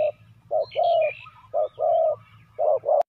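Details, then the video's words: Caged decoy spotted dove calling to lure wild doves: low hollow coos in short and longer notes, grouped in pairs with brief gaps, and faint high chirps of small birds in the background. "chim cu mồi gáy gọi bổi"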